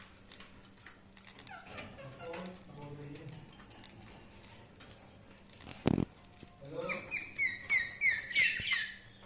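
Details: Budgies chirping indoors: after a quiet stretch with low murmuring voices, a burst of high, rapid, warbling chirps repeats about three times a second for the last two seconds.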